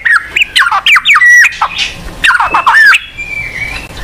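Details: Varied white-rumped shama song, played to coax a non-singing bird to sing: looping whistles, sharp chips and a long level whistle near the end, over a faint low background rumble.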